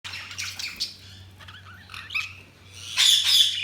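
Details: Budgies chirping: a warbled run of varied high chirps and downward-sliding notes, then a loud, harsh burst of squawky chatter near the end, over a low steady hum.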